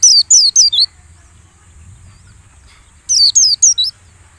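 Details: White-eye song used as a lure for caged birds during the morning dew session: a quick run of four high, sweet downslurred whistles, a pause of about two seconds, then another run of four.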